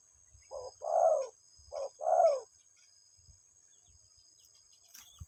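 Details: Spotted dove cooing to call its partner, giving two paired phrases, each a brief low note then a fuller descending coo, about a second apart, over a faint constant high hum.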